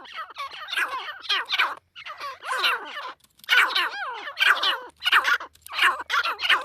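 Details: Female partridge producing dense, rasping call bouts in quick succession, each bout a jumble of harsh squawks broken by brief pauses.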